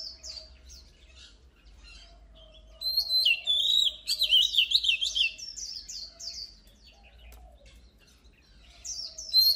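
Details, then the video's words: Oriental magpie-robin song with a few soft high notes, then a loud rich run of quick whistles, slurred trills and descending notes, fading before a sharp final phrase. A faint low hum runs throughout. "Luyện giọng chòe than HÓT HAY || Kích chòe than hót căng lửa || Suara Burung Kacer Gacor"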